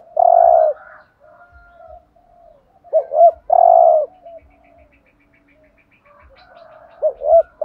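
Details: Spotted dove urging coos meant to stir rival doves: three repeated phrases of paired short notes and a long steady coo, about three seconds apart, with low murmuring in the pauses.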